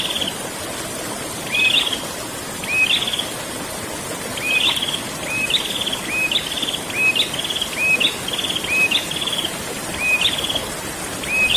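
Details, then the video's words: Prinia singing in the rolling 'ngerol' style: a short rising whistled note that runs into a buzzy trill, repeated in quick pairs about every second over a steady hiss of water. "burung prenjak ngerol"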